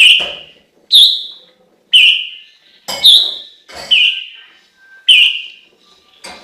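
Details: Chinese hwamei delivering a run of about seven loud, rich whistles spaced under a second apart, some phrases slurred downward and others rising with a quick upward twist.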